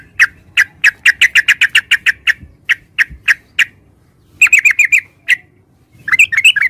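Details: Yellow-vented bulbul (Pycnonotus goiavier) singing: a quick run of about a dozen short, sharp, evenly spaced notes, then slower single notes, followed by tight bursts of chattering notes after a brief silence.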